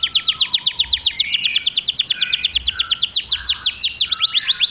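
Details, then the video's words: Canary in song, repeating sharp, slurred high notes at a steady brisk pace, about seven per second, with a few overlapping softer warbles. "o canto do canário"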